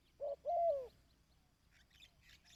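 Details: Single dove coo phrase for decoy-bird training: a short clipped note, then a longer rolling, downward-bending coo. Brief high chirps from another bird follow.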